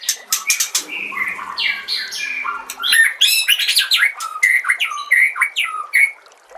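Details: White-rumped shama song used as a master recording for training other shamas, set against nature sounds and trickling water; a rich, rapid medley of whistled notes, chirps and sharp upslurs, with varied phrases following each other without pause.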